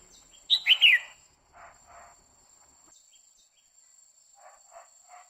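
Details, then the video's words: Female red-whiskered bulbul singing to excite a male: a quick three-note whistled 'quých kiu' phrase, then scattered soft, faint chirps in an otherwise quiet background. "Chào mào mái hót kích trống liên tục Chào Mào mái quých kiu mào mái hót"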